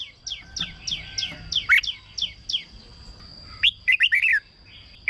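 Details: Red-whiskered bulbul for decoy use or to stir up caged birds: a run of thin descending whistles, then a louder burst of quick rolling warbled notes, over a faint steady high hum.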